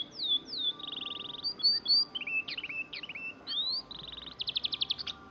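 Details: Oriental magpie-robin, known locally as kacer, singing a varied run of clear whistled slurs, short trills and rapid buzzy rattles around high pitch, each phrase changing quickly, with no other clear sounds behind it.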